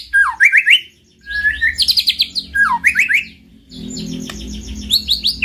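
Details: White-rumped shama singing, played as a master track to raise a silent bird's urge to sing. Three bursts of falling whistles with rising note series, separated by short pauses, plus a low background hum.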